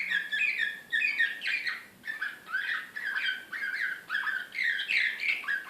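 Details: Canary of the Serbian slavujar song style, Belgrade, 2016, singing excitedly. It gives repeated bursts of quick warbled phrases, each lasting about half a second, separated by short breaks.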